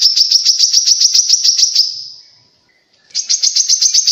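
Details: Grey-cheeked bulbul song, played to prompt other birds of its kind to sing and usable as a lure in the wild: rapid, evenly repeated high chattering notes for about two seconds, a fading tail, then a fresh chattering burst.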